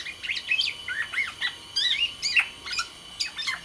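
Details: A Sumbawa black-naped oriole sings busily, with twittering phrases of bright, bending whistles and chirps grouped in short bursts a fraction of a second apart.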